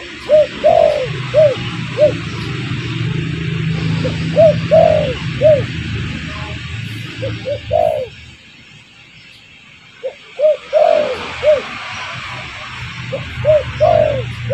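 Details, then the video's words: Spotted dove calling as bait to lure wild doves: repeated cooing phrases of short soft notes and longer bowed coos, a near-silent gap midway, then the pattern resumes. "Suara pancingan burung derkuku bakalan ampuh"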